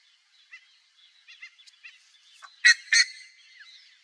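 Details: Wild buff-necked ibis (Theristicus caudatus) in natural habitat in Brazil's Cerrado: soft, scattered nasal notes build to two loud, harsh honking blasts near the end, followed by a drawn-out fainter note.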